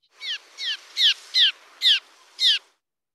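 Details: Cliff swallows from a colony under a bridge circle over an approaching person giving the 'z' danger alarm call: six short, harsh, buzzy notes, high and slightly descending, spaced about half a second apart.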